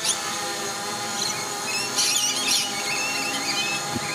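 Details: Lorikeets holding their ground as a drone comes close voice their annoyance with loud, harsh, shrill screeches in a few sharp bursts over the drone's steady buzzing whine.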